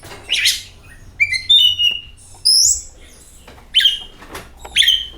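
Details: Lure song of an Oriental magpie-robin, used to make other magpie-robins sing: short buzzy bursts alternate with clear descending whistles, separated by brief silences, with a soft low hum.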